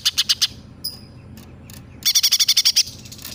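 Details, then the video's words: Greater green leafbird singing with mimicry of sparrow and tailorbird: a quick run of four high chirps, a thin whistled note, then a fast series of about ten bright repeated chirps. "Cucak Ijo Gacor nembak gereja sambung tengkek buto"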